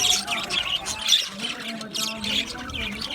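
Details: Budgerigars chirping in an aviary, clustered bursts of warbled high notes and squeaky whistles separated by brief softer gaps.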